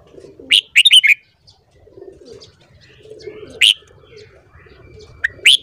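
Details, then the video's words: Red-whiskered bulbul in the morning: one quick phrase of bright whistled notes at the start, followed by scattered single sharp notes over a soft murmuring background. "Luyện giọng chào mào hót sáng .kích giọng chào mào hót hay"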